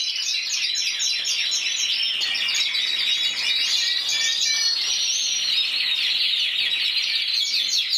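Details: Individual intense yellow canary, 2014 champion of Spain with 94 points, pouring out a bright continuous warble of quick twitters, brief whistles and rolling trills at steady volume.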